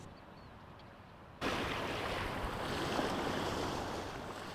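Steady wind and surf noise that suddenly grows louder partway through, with no animal calls.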